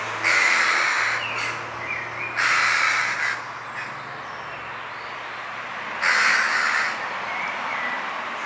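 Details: Young Western jackdaws in a back garden in Weert, the Netherlands: three loud, harsh, raspy bursts of calling, each about a second long and separated by pauses, with softer short calls in between.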